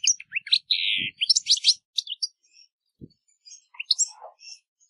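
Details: European goldfinch singing in nature, softer and more distant: a short string of chirps, one drawn-out buzzy note, then scattered twitters fading out, with a couple of faint low thumps.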